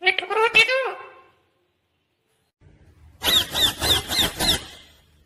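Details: Green Indian ringneck parakeet talking: a burst of several shrill speech-like syllables, then a pause of about two seconds, then six rapid, evenly spaced high chattering notes in a row.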